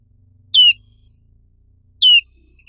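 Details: A pair of loud, clear descending chirps from a black-capped white-eye, called pleci black capped, about one and a half seconds apart.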